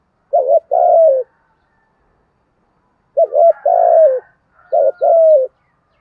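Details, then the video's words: Spotted dove calling as a trapping lure in local voice style: three phrases of two quick husky notes then a drawn-out falling coo, spaced about two seconds apart. "cu gáy thúc gù giọng thổ/ thúc đấu bổi nghe nhanh về cội+mồi nghe gáy theo"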